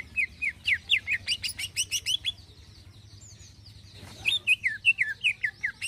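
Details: Greater green leafbird in energetic 'gacor' song of the 'isian halus' type: fast bursts of sharp, high chirps and warbled whistles, a short pause with a brief rustle, then another quick run of slurred notes.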